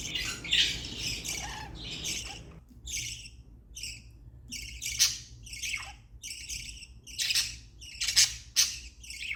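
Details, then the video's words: Pet budgerigars making happy sounds: a busy run of harsh, squawky chirps, some grouped in quick bursts, others spaced about half a second apart, with a soft low hum underneath. "Budgie sounds to make your budgies happy"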